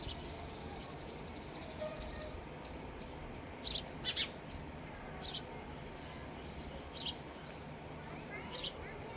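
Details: Sparrow babies fed raw insects: quiet stretch, then a burst of three quick high downslurred chirps, followed by scattered single cheeps, over a persistent high whine.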